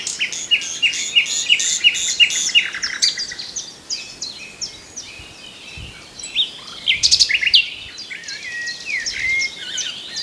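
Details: Common nightingale singing a varied phrase that opens with a rapid series of repeated sharp notes and continues into mixed whistles, chirps and quick trills, with busy high-pitched song throughout.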